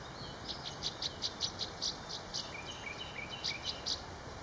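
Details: Recorded 21 April 2019 over the East Branch Perkiomen Creek, Montgomery County, Pennsylvania, a northern rough-winged swallow on a wire utters a long series of brief, harsh, high buzzy notes at a quick steady pace, alongside faint thin chirps.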